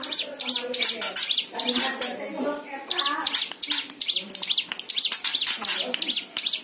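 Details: Singing white-eye, played to get other birds singing: fast, high chirps in bursts of quick V-shaped notes, mixed with lower warbling tones and soft background voices.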